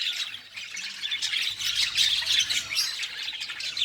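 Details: Several colorful budgerigar chicks sharing one nest in a breeding colony: dense, raspy, high squawking chatter with overlapping calls running continuously, louder bursts around the middle and end.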